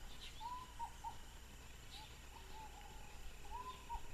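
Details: Ruddy pigeon of subspecies berlepschi, recorded at Rio Canandé, Ecuador, on 15 December 2012: soft, tonal cooing phrases that rise and fall in short groups, repeated after a pause, over faint steady forest hiss.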